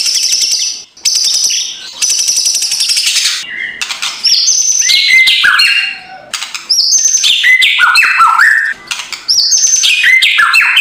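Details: Morning white-rumped shama lure song meant to provoke a reluctant bird, kretekan style: long dense buzzy high trills broken by brief pauses, then quick varied whistled notes leaping between low and high pitches.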